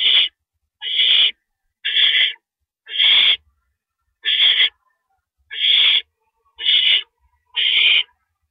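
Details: Male owl delivering a rabbit to the nest at night, April 6, 2012, 1:11 AM; a steady series of raspy, hissing screeches about one per second, with faint thumps between.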